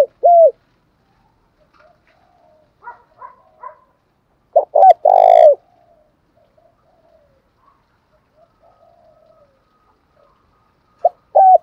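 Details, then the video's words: Spotted dove, a decoy for luring rival males in Vietnam, giving one loud rolled cooing phrase midway, with clipped coo fragments at start and end and faint scattered soft notes in a quiet gap. "tiếng chim cu gáy kích bổi giọng gáy hay mới"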